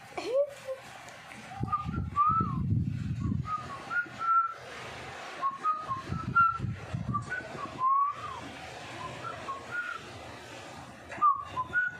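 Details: A pet cockatiel gives clear, short whistled notes, some rising and sliding, while people talk and laugh in the background, urging someone to scratch its head because it wants a scratch.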